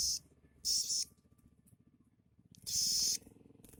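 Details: Caged sogok ontong sunbird singing a song filled with imitations of other birds such as house sparrow and prenjak lumut; two short, very high, shrill twittering bursts about two seconds apart, with quiet gaps between.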